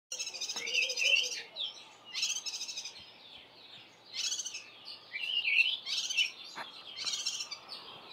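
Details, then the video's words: A Cape white-eye foraging early in the morning gives its alarm call on seeing a large spotted eagle-owl on a nearby roof: harsh, buzzy, high-pitched scolding bursts about every one to two seconds, with a faint low whistle early on. "Cape White-eye's alarm call upon seeing an owl"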